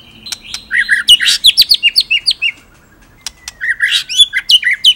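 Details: White-rumped shama with a varied 'ngerol nembak' song: two bursts of mixed whistles, quick upslurred chips and short warbles, split by a pause with a thin, drawn-out whistle.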